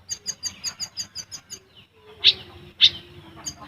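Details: Olive-backed sunbird in a fast besetan and tembakan song for tutoring caged birds: a quick run of about eight high, ticking notes, then two louder sharp chirps over a faint low hum.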